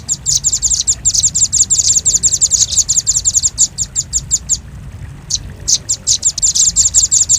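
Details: Velvet-fronted nuthatch, a lure recording: rapid runs of sharp, high chips, some stretches so fast they blur into trills, broken by short pauses, with faint low background hum.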